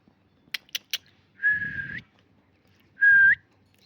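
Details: Pet talking parakeet giving two flat whistled notes, the first held about half a second and flicking upward at its end, the second shorter, after three sharp clicks; a low rumble sits under each whistle.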